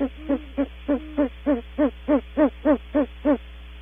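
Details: Female then male great horned owl vocalising as they leave the nest cavity at Audubon Starr Ranch: a rapid run of about twelve low, hollow hoots, roughly three per second, with steady spacing.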